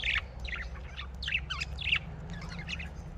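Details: Soft budgerigar twittering: short warbled chirps in quick, broken phrases, fairly quiet against a steady low hum.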